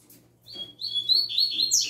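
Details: Young double-collared seedeater singing its newly fixed tui tui zel zel style: after a short pause, a run of high whistled and buzzy notes slides and steps upward, growing brighter and louder toward the end, with a faint low hum beneath.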